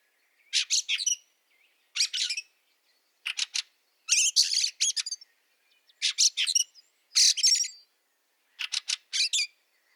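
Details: A Fieldfare (Turdus pilaris) in snow at Liepāja, Latvia, in March 2023 gives harsh, rattling chack-chack calls in short bursts of two to four notes, about one burst a second, with quiet gaps.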